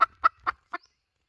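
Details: Hen calling as a lure, four short sharp clucks spaced roughly a quarter second apart, the last slightly softer, then silence.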